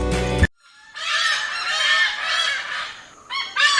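Malabar pied hornbills give loud, harsh, cackling calls: rapid nasal notes run together in long noisy bursts, pausing briefly before another raucous outburst.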